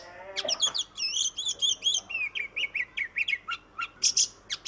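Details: Oriental magpie-robin singing vigorously as a lure to prompt reluctant birds: a fast tumbling run of looping high whistles, then a steady series of short clipped notes and a few harsh scratchy bursts.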